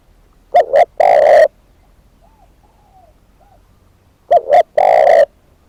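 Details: Spotted dove decoy bird calling twice, about three and a half seconds apart, each time a quick double note followed by a long hoarse coo; soft distant coos answer in between.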